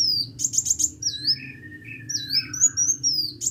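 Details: Hummingbird (kolibri) singing vigorously: very high, thin chirps with quick trilled bursts and sweeping slurred notes, mixed with a lower drawn-out whistle and a faint low hum underneath.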